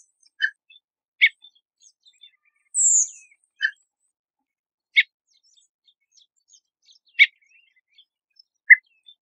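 A redwing gives one thin, very high, drawn-out 'tseeep' that falls in pitch, among short sharp chups spaced a second or two apart in a quiet setting.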